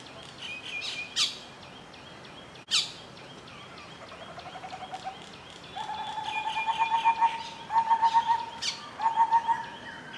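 Yellow-crowned woodpecker giving quick rattling trills in short bursts, with a couple of sharp clicks early on and thin higher notes from other birds behind.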